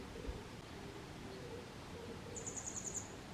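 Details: In Kotoura, Tottori Prefecture, Japan, on 22 May 2023, a grey wagtail gives one quick run of about seven sharp, very high-pitched notes near the end, over a quiet rural hiss; recorded handheld on a Canon SX740HS.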